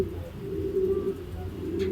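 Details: Racing pigeon after a truck training release in Guiguinto, Bulacan, Philippines, the flock arriving as a group; a low, steady droning coo holds for about two seconds over background rumble.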